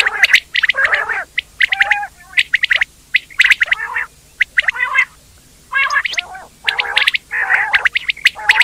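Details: Quail chatter in a noisy flock: loud clusters of sharp high chirps and raspy, buzzy squawks, separated by a few quieter gaps of about half a second.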